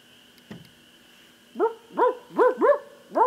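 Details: Barred owl (Strix varia) giving five short, rich, arched hoots, each rising then dropping, about two per second, over a faint steady hum; a familiar wild owl called in and approaching closer.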